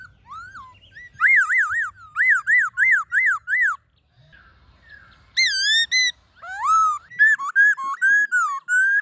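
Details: Black-throated laughingthrush forest song (giọng rừng) for luring wild birds and stimulating caged birds: a run of five loud arched whistles in quick succession, a brief pause, then rising swoops and varied ringing notes.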